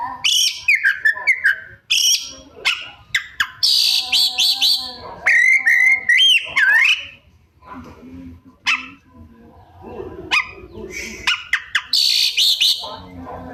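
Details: Oriental magpie-robin in full, lively song packed with mimicked phrases: rapid varied whistles, rising slurs, sharp clicks and harsh buzzy bursts, delivered continuously with brief pauses.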